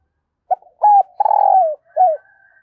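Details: Spotted dove decoy bird calling early in the morning to lure wild doves: a short low coo, a sustained mid-pitched note, a long rough coo that slides downward, then a final brief coo, all close and clear.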